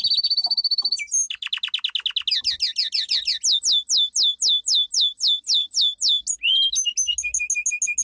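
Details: Powerful song of a domestic canary, meant for training: a brief steady whistled trill, then tours of rapid downward-sweeping notes that slow into spaced, ringing slurs, ending with a high bubbling trill.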